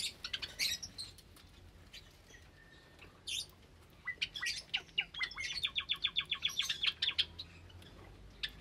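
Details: Caged Java sparrows with recently hatched chicks, Sunday morning, 8 May 2022; scattered chirps give way to a fast run of repeated bell-like clicking notes, about four per second, rising into a rattling series.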